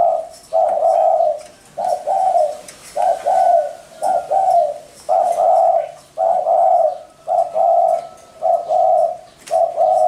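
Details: Spotted dove giving its gentle cooing: soft, low, steady-pitched notes in paired or triple phrases, repeated roughly once a second across the recording, with faint thin chirps in the background.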